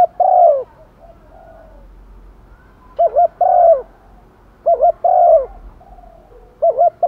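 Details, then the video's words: Decoy spotted dove calling to draw in wild doves, giving repeated phrases of a quick double note then a long, slightly falling coo, roughly every two seconds, with faint softer coos between. "chim cu mồi gáy thúc và gáy gọi một hậu"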